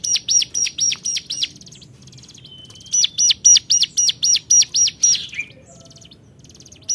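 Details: Loud repeated high notes from a hill prinia calling rivals come in two fast bursts of arched chirps, about four per second, with a quiet gap between them.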